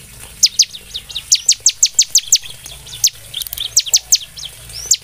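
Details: Bar-winged prinia (ciblek) song meant to prompt other birds to sing: thin, very high notes that drop steeply, delivered in short irregular runs with brief pauses, over a faint steady hiss.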